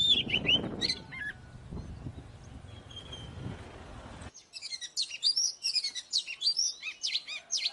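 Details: Oriental magpie-robin fighting song for provoking rivals: a few whistles over broad rumbling noise, then after an abrupt cut, a cleaner burst of quick, varied high whistles and chips.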